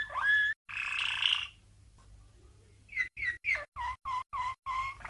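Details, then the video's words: Waterslager canary, a 1997 champion, singing a training song for young canaries: a rising whistle, a loud buzzy roll, a quiet gap, then a rapid series of short notes falling in pitch. "Malinois CANARY From 1997 - 12h Training Song"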